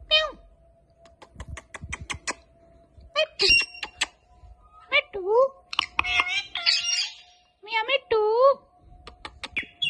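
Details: Pet Indian ringneck parakeet talking indoors, its repertoire including "Allah hoo" and other words; short bursts of voice-like syllables with sliding tones, separated by pauses and a rapid series of sharp clicks, with a steady faint hum throughout.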